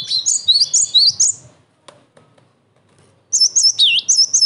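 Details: Cinereous tit song for luring rivals and training young birds: a quick run of rising high chirps, a pause, then a whistled phrase with one deep swooping dip.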